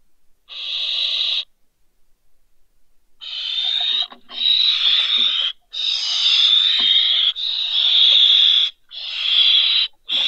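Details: Barn owl owlets, two young fallen from a balcony, at Riet Vell reserve in the Ebro Delta, Spain, in December: long harsh hissing screeches, one short then several drawn-out bursts with brief breaks, plus faint clicks and rustling.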